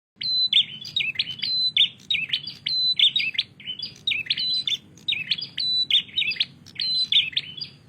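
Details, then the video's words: Prinia singing vigorously: a bright, high chirping phrase of sharp whistled notes and quick trills, repeated about once a second against a low, steady background hum. "Prenjak Gacor"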